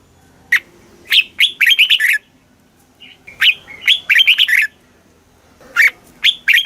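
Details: Caged red-whiskered bulbul, southern Thai master song played to excite other birds: loud bursts of tumbling, slurred whistles, one short call between phrases, a new phrase starting near the end.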